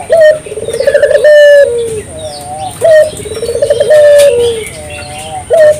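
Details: Lure recording of a spotted dove meant to get local doves singing. Two full low cooing phrases, each a sharp opening note, a rapid stutter and a long sliding-down coo, repeated roughly every three seconds.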